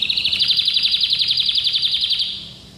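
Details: An orange domestic canary in training sings a rapid, rolling trill of bright, high notes.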